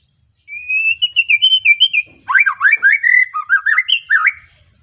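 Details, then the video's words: Freshly moulted young White-rumped shama from a Tangerang Arko line in Pemalang opens with a sustained wavering whistle, then after a short pause delivers a quick series of looping, warbled notes. "Kicau Murai batu lepas trotol,suaranya heboh"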